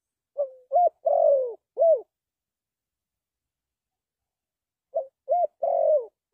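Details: Spotted dove cooing: two phrases of four soft, hollow coos, short notes leading to a longer drawn-out falling coo, separated by about three seconds of silence, with no other sounds.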